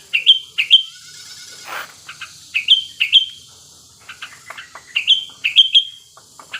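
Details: Breeding-condition wild male sooty-headed bulbul, played as a lure to get other bulbuls singing. Clear, downslurred whistles come in pairs and triplets, about two seconds apart, with quieter chirps between.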